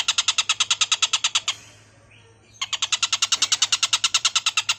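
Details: Stork-billed kingfisher giving a harsh, rasping call: a rapid series of loud, grating notes repeated about three per second, a pause of about a second, then the same rapid harsh series resumes.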